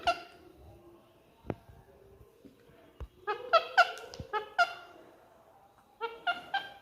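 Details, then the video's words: Pet Indian ringneck parakeet talking non-stop at its own reflection in a mirror, mimicking human speech: a few soft clicks, then bursts of short, voice-like nasal syllables in quick groups, pausing, then resuming. "Mithu Mai Mirror Dekhkar Bolta Non -Stop Talking Parrot"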